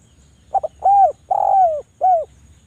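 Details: Javan turtle dove lure call for doves reluctant to sing: a double stutter, then a short arched coo, a long downward-sliding coo and a final short coo, all mellow and low.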